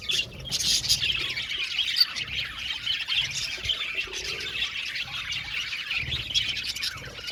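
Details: Aviary budgerigar colony in full chatter, overlapping scratchy squawks and chirps forming an unbroken busy wash, with soft low thumps in the background.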